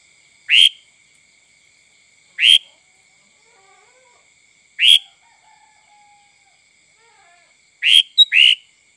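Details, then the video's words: Sooty-headed bulbul sound used as a lure for other birds: short, sharp, bright chirps repeated about every two to two and a half seconds, ending in a quick double note, over a faint constant high-pitched tone. "Suara Kutilang Full mbesettt cocok untuk memancing burung lain"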